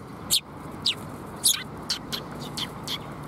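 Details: Sparrows coming to be fed at a Tenmangu shrine in May, giving short, bright chirps repeated at irregular intervals of about half a second, with a low background hum.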